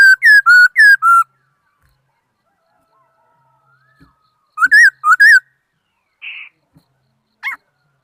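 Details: Laughingthrush giving a quick series of four loud, falling whistled notes, silence, then three twisting slurred whistles, a short buzzy note and a final sharp upward call.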